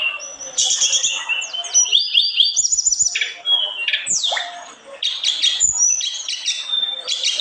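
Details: Olive-backed tailorbird (tledekan gunung) in full, energetic song, said to provoke other tledekan: dense high chirps, fast falling slurs, rattling trills and sharp whistled notes pouring out almost without a break.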